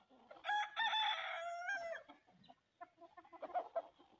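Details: While hens eat sesame, a loud harmonic crow lasting over a second opens the recording, followed by scattered soft clucks and beak taps.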